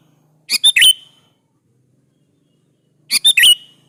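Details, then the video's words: Sooty-headed bulbul in active song used to provoke other bulbuls' replies: two short, squeaky-bright phrases of three quick notes each, the last one slurred, spaced about two and a half seconds apart, faint low hum. "KUTILANG jenis apapun Pasti nyaut di Masteri suara burung kutilang gacor ini"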